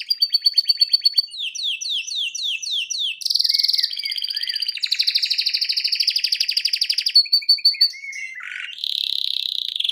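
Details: A male canary singing live while watching a video in front of a TV gives a long, unbroken song of rapid rolled trills and repeated chirps, with bright whistled and buzzy passages shifting pitch every second or so.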